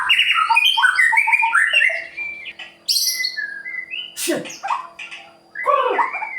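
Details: White-rumped shama song used to provoke other birds: fast, varied whistled phrases with sliding notes, a high sharp burst, a harsh downward squawk and more rapid chattering notes.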